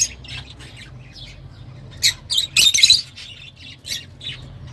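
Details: Shrill lovebird chatter: scattered short high chirps, then a loud cluster of harsh rapid squawks in the middle, fading to a few quieter notes.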